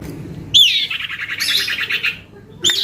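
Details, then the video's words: Young male common iora, described as very noisy and lively, gives one sharp downslurred note that runs straight into a fast, buzzy rattling trill lasting about a second and a half, then starts another sharp note. "Anakan Cipoh atau Sirtu Gacor"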